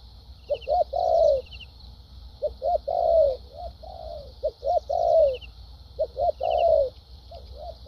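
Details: Kept spotted dove cooing in the thúc gù and lèo dặm styles: two or three short low hoots followed by a longer drawn-out falling coo, repeated every two seconds, with faint high ticking in the background.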